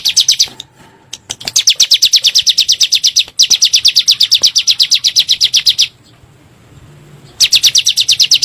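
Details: Lure recording of bar-winged prinia (ciblek gunung) used to provoke birds: long bursts of quick, high, even notes, broken by two short pauses and a gap of over a second.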